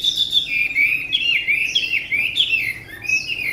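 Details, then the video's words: Tame Chinese hwamei singing a continuous, rich warble of fast slurred whistles that swoop up and down without pause, bright and loud throughout. "họa mi ccdv1121 thuần đẹp giọng hay quá"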